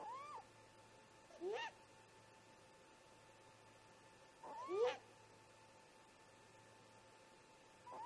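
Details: Early-morning exchange between two adult great grey owls at their snag nest, about 04:25 MDT, caught on a nest camera: brief rising, squealing calls spaced a few seconds apart, with quiet gaps and a faint constant hum.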